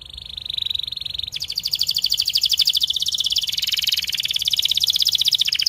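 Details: Vigorously singing canary on a tutor recording for young birds: a steady high trill breaks into a dense, rapid, buzzy roll that continues without pause.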